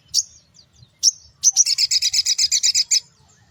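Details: Sogon pastol in morning song, used as a lure for small birds: two high sharp chirps followed by a fast rattling series of about twelve bright, evenly spaced notes.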